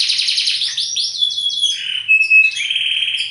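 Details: Canary of the bottle-green colour form delivering quick descending sweeps that settle into a steady high roll, then brief pure whistled notes and a buzzy trill.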